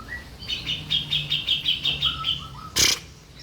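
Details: Grey-cheeked bulbul on a training master recording: a short, quick series of bright chattering notes ending in low whistles, followed by a sudden loud knock.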